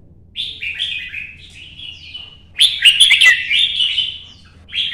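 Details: Red-whiskered bulbul at competition singing while moving along its perches. Soft descending warbled notes come first, then a sudden loud, bubbling, chattering outburst, ending with one more short phrase.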